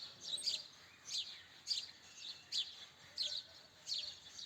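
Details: Chirping house sparrow with sharp, high, slightly buzzy chirps repeated roughly every half to three-quarters of a second, quite faint against low background noise.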